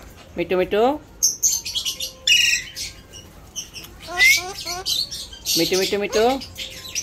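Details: Pet Alexandrine parakeet imitating human speech, with several short voiced phrases of sliding harmonic syllables separated by sharp high chirps and scratchy squawks, in an irregular, chattering rhythm.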